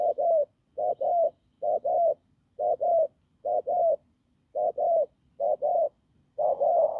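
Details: Hoarse wild spotted dove with a strong coo: about eight paired low, rough notes in quick succession, regular at first, ending on a longer, fuller coo.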